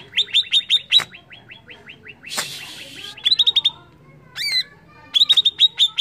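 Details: Greater green leafbird (cucak ijo), used as a lure to provoke other birds into excited singing, gives rapid bursts of sharp, high chirps, about five notes a second, broken by a brief rush of noise and a click.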